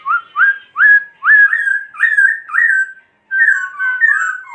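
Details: Laughingthrush song made of a run of loud, sharply upslurred whistles about every half second, then a short pause and a flowing, wavering whistled phrase.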